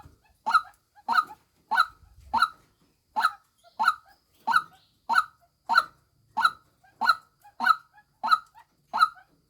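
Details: Loud, rhythmic croaking from a female white-breasted waterhen, about fifteen harsh nasal notes delivered at an even pace, each followed by a brief quieter echoing note.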